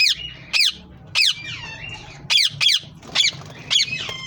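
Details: Green ringneck parrots uttering spaced, piercing squeaky screeches, about one every half second, some trailing into thin whistled tails.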